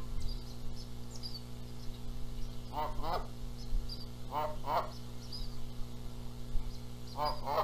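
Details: Canada goose nest in Charlo, Montana, April 14, 2022, birds contesting who incubates; widely spaced harmonic honks in twos and a single late one, faint chirps from other birds and background hum.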